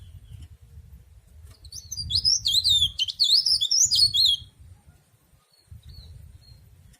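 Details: Cikrak daun (tralis) leaf warbler delivering a lively two-and-a-half-second stream of high, rapid, slurred twitters, with low background rumble before and after.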